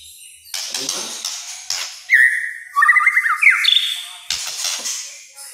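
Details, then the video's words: Kretekan-style white-rumped shama song, said to make other shamas emotional: a whistled note followed by a fast rattling trill and a high end note, among brief clicks and low background noise. "KRETEKAN MURAI BATU GACOR. BIKIN MURAI LAIN EMOSI.."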